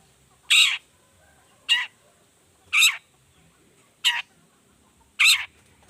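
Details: Lure-style 'toet toet' calling of a long-tailed shrike: short, harsh, grating notes repeated about once a second, five in a row, over a quiet background.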